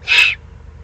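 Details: A single short, rough, hissing rasp from an excited juvenile Eurasian eagle-owl in the Eifel, 21 June 2020, fading quickly into quiet.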